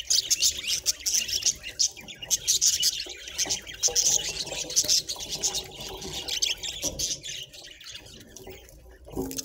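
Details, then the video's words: Pet budgerigar making happy chirping sounds: dense, busy high twittering and warbling chatter with rapid clicks and scratchy notes, continuous throughout with brief louder bursts, light background noise. "Happy budgie sounds"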